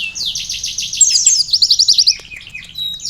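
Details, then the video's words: Loud, lively sunbird song carrying canary-style filler phrases: a dense chattering trill, then a quick run of rhythmic high notes that fades toward the end. "konin gacor isian kenari||asli suara burung kolibri isian"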